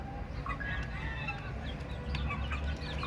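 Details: Baby chicks chirping in a group, thin high peeps overlapping irregularly, some rising and some falling, against constant low-pitched background hum.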